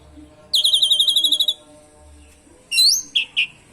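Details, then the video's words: Asian pied starling with canary imitations, used to prompt other birds to sing: one rapid trill of about a second, a pause, then a loud upslurred whistle and two short down-slurred notes. "Pancingan JALAK SUREN gacor isian KENARI !! pancing burung lain ikut gacor"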